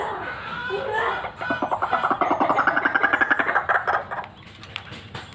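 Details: A white-breasted waterhen, described as a chatty fighter used for luring, delivers a rapid, pulsing stream of grating notes that builds and then fades over several seconds.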